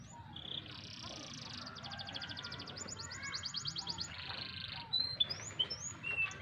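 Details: Canary aged four to five months performing in July 2020: fast buzzy trills and rolling pulsed phrases at high pitch, a few short rising notes near the end, over constant low-pitched hum.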